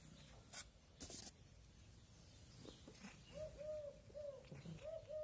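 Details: A common cuckoo gives soft, hollow, mid-pitched notes in quick pairs after a stretch of sharp knocks and rustling, on a calm day in a village where cats are also around.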